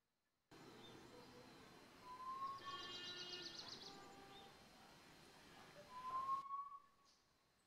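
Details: Hill partridge, a male foraging in oak leaf litter at Landour in the Indian Himalaya, gives two clear, woeful whistles, each sliding upward, about four seconds apart; a brief higher chatter comes in between, over steady background hiss.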